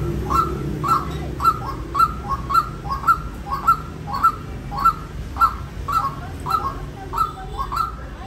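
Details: White-breasted waterhen giving a steady run of short, ringing mid-pitched notes, roughly two per second, each with a sharp start and a brief falling tail, over a low background hum.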